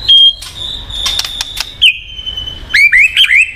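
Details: White-rumped shama singing to prompt a silent bird: a long steady high whistle with sharp clicks, then a few quick descending slurred notes.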